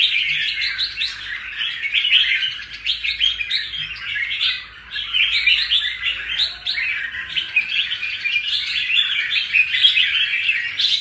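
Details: Caged red-whiskered bulbul, caught wild and just out of its moult, sings a long busy stream of quick chirps and short warbled phrases with only brief dips between bursts.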